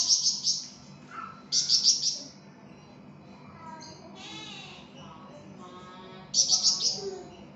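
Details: Flamboyan bird singing energetically in a songbird tutoring recording: three short bursts of high, ringing chirps, with softer warbled and buzzy notes between them.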